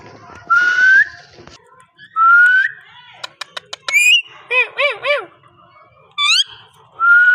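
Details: Parrot giving slurred rising whistles, a few sharp clicks, a quick upward sweep, then three arched squawky notes and more rising whistles.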